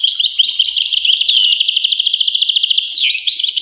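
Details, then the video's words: European goldfinch producing a fast, rattling trilled series of tinkling notes, followed by a sweeping downward slur and more twittering. "voice carduelis- Tweets the birds. Tones a bird Goldfinch. voice goldfinch-"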